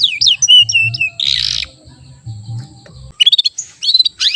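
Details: Young AF-type canary in training, singing short rolls: looping whistled notes and a buzzy burst, a pause, then fast clipped chirps and bright rising whistles.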